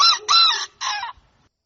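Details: Rooster at dawn giving a short, hoarse crow in three bursts, the middle one longest, over a quiet background.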